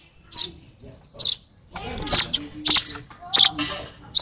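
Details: Sparrow chick begging during a hand-feeding, with high squeaky chirps that turn into a dense run of rapid calls and crackling handling noise in the second half.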